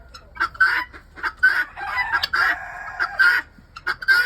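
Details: Helmeted guineafowl give loud, harsh, grating calls in bursts about every three-quarters of a second, with faint human voices in the background.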